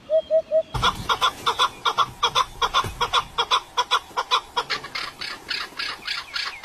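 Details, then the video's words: Birds singing: three low clear notes, then a loud dense chorus of rapid, harsh repeated chirps and chattering phrases at a fast steady pace, brightening toward the end. "Pássaros canto perfeito"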